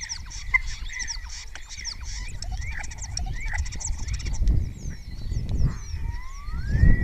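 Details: Spotless starling singing at Cabañeros National Park in Spain, answered by fellow starlings, a singer known to mimic orioles, kites and other birds. Clicks and short whistles, ending in a long, smooth rising whistle, over a persistent low-pitched rumble.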